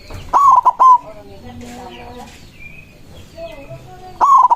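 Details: White zebra dove singing loudly to draw rivals: a stammering, rolling coo phrase opens the clip and another begins at the end, with faint calls of other birds in between.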